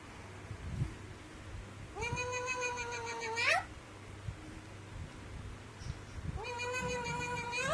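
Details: Alexandrine parakeet imitating a cat: a pair of drawn-out nasal meow-like calls that climb steeply at the end, separated by a few seconds of soft thumps and a low room hum.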